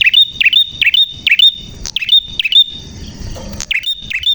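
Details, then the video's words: Prinia in lively, clear song: sharp, high, slurred chirps repeated about every half second, a brief pause near the middle, then the series resumes. "Burung Prenjak Gacor Suara JERNIH"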